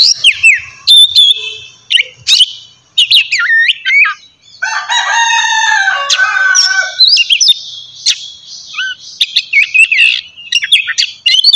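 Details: Morning ngeplong song of an Oriental magpie-robin, meant to arouse other kacer: varied whistles and trills broken by short gaps, a long rich harmonic passage in the middle, then rapid chattering notes.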